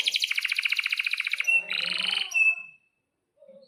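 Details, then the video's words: Canary in long rolling song: a dense buzzy trill of rapid pulses held for over a second, a brief pause, a second lower rattling roll and a thin drawn-out whistle, then quiet. "Kenari GACOR PANJANG INI Cocok untuk Masteran KENARI PAUD dan Kenari Macet BUNYI"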